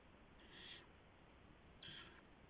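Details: Owl at night, 2:51 AM on April 2, 2016, taking a gopher to another owl. Two short, breathy, rasping hisses about a second and a half apart against a low hum.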